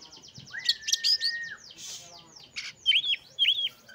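An Oriental magpie-robin sings a long, steady whistle, then a quick jumble of high chirps and two sharp, repeated down-slurred notes.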